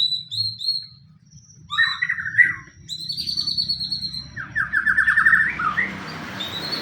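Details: White-rumped shama singing a fighting-style lure phrase to provoke rivals: short high whistles, a chattering burst, a long clear whistle, then a rapid rattling trill, with some hiss late on.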